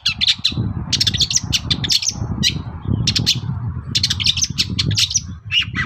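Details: Long-tailed shrike singing in the morning as a lure to provoke other shrikes to answer: a dense, fast run of harsh, scratchy notes and squeaky chirps with little pause, over a steady low background rumble.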